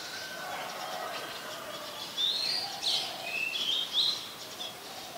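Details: Black-collared starling calling in Ubon Ratchathani, Thailand, July 2020: after a quiet start, a burst of sharp squeaky whistles and slurred rising notes, loud and irregular, against constant outdoor hiss.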